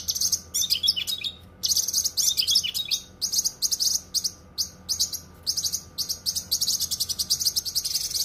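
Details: Dense, sharp cucak kinoi song for masteran: long runs of high, buzzy, twittering notes, an early burst of lower sliding chips, then steady chattering phrases broken by brief gaps.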